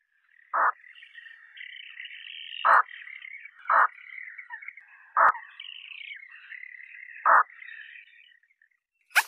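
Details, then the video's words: Five short, low, hoarse grunts from a Eurasian spoonbill, spaced irregularly one to two seconds apart, over a steady high twittering chorus of other birds. "Eurasian spoonbill call, spoonbill sound"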